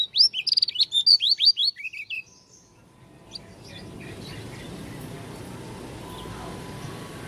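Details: Oriental white-eye of the Lombok dakun type giving an unusual song: a fast burst of sharp, high, downslurred chirps lasting about two seconds, then a quiet pause and a steady background hiss.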